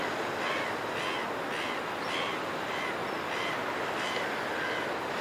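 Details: Red-billed gulls calling in flight over a cliff top; harsh, nasal calls repeat roughly every half second to second, several birds overlapping, over a steady roar of wind or surf.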